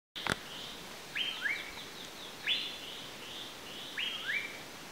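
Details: Asian paradise flycatcher calling: harsh, buzzy two-part notes, a higher rasp dropping into a lower one, repeated roughly every second or so, with a sharp click at the start and faint background hiss.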